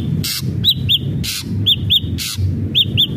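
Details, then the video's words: Ashy drongo singing, used to prompt captive birds: pairs of clear arched whistles alternating with three loud harsh rasping bursts, steady low rumble underneath. "SRIGUNTING ABU ABU GACOR"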